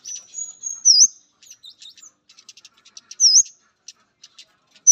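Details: Male orange-headed thrush on meeting a female gives a long high sliding whistle, scattered faint ticks, then another looping whistled note.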